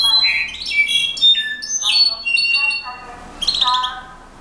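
A Slate-colored Solitaire sings a rich run of clear, fluting whistles and ringing notes that jump between high and low pitches, with a brief pause near the end.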